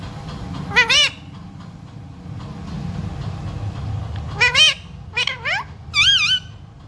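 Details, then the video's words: Talking parrot, said to speak the words "mummy papa" and "sita ram": three harmonic, nasal, voice-like bursts with wavering pitch, separated by pauses, over a low steady room hum. "बोलने वाला प्यारा तोता 💖 parrot talking mummy papa 🥰 parrot talking sita ram"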